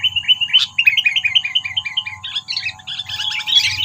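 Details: Trapping lure call of a sooty-headed bulbul to stir predators: a continuous, fast chatter of short slurred notes, roughly four a second, becoming busier and harsher toward the end over a faint low rumble.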